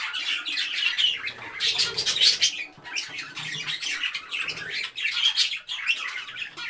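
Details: Parakeets chirping as a group: dense, overlapping squawky chatter and sharp chirps, mostly high-pitched, in rapid irregular bursts with brief lulls and faint low background rumble.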